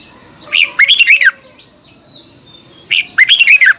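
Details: Recorded in Thailand to train caged birds, red-whiskered bulbul song: two phrases of a sharp opening note followed by a rapid bubbling run of descending whistles, about two and a half seconds apart, over a steady high hum.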